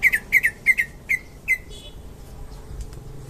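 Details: Indonesian greater green leafbird, a champion songster, delivering paired whistled notes repeated about every third of a second, then trailing off into faint chatter and quiet room sound.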